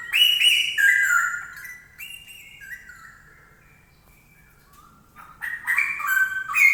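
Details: Straw-headed bulbul, noted for its loud, ringing voice, pouring out liquid whistled phrases that tumble downward in steps, pause for a few seconds, then resume with a bubbly, fluty warble; no other sounds clear.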